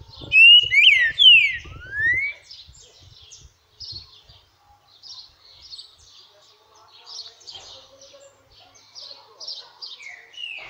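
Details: Green-winged saltator, a timid bird, opening with a loud burst of clear, sweeping, rising whistles, followed by quieter scattered high notes and chips from other birds.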